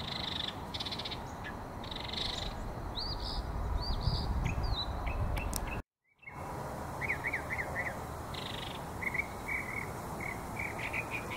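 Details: Northern mockingbird in a meadow on 24 September 2023 sings short, varied chirping phrases, some repeated several times in quick succession, over a steady low rumble of wind or distant traffic.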